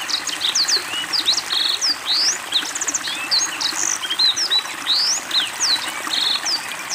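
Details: Black-throated Canary in energetic song during water therapy: a dense, unbroken medley of sharp high whistles, twitters and short buzzy trills, with steady trickling water noise throughout.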